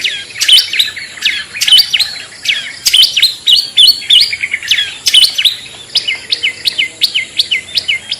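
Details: Long-tailed shrike (cendet or pentet) lure sound, the 'toet toet' used to attract other shrikes: a quick run of sharp, high chirped notes, some with hooked upward inflections, repeated irregularly at roughly one per second over a faint hiss.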